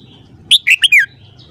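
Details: Single crisp morning phrase from a red-whiskered bulbul: four quick, loud whistled notes, the last slurring downward, against a quiet low hum.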